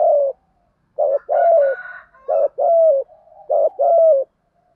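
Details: Spotted dove in the 'giọng thổ' cooing style, used for luring and training doves: three phrases, each a clipped lead-in note followed by a longer, slightly falling coo, about one phrase per second and a half, with no background noise.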